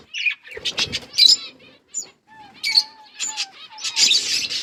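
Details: Pet budgerigars chattering, scattered short high chirps and squeaks with brief pauses, a faint thin whistle in between, and a dense burst of warbling toward the end.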